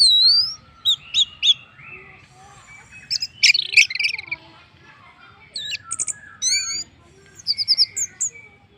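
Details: Lure song of an orange-headed thrush for prompting other birds to sing: a busy, varied medley of high whistles, sharp chips and rising slurs, with short quiet gaps between dense bursts.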